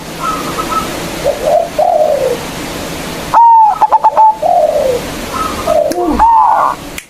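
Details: Local zebra dove sounding a big-voiced lure phrase to call rivals: gentle slurred coos lead into a blaring drawn-out note followed by a quick series of clipped beats, then soft cooing resumes.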